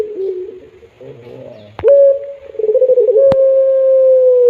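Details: A pelung Barbary dove's melodious cry, soft wavering coo and low purr, then a sharp rising onset into a long, level, sustained note that fades gently at the end.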